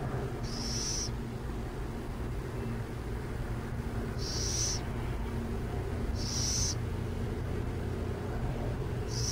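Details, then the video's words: Burrowing owls near San Jose repeat a high, raspy, hiss-like screech four times at irregular gaps of about two to three seconds, with a steady low rumble throughout. "Burrowing owls near San Jose"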